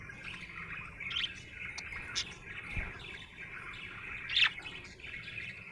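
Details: Happy budgie giving soft continuous chattering warble, with a few faint chirps and one louder squeaky chirp near four and a half seconds.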